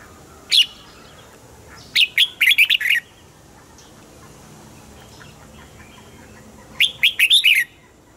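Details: Song of a caged Red-whiskered Bulbul, meant to rouse other caged birds: one lone sharp note, then two rapid phrases of four to five lively chirped notes, with long quiet gaps between them.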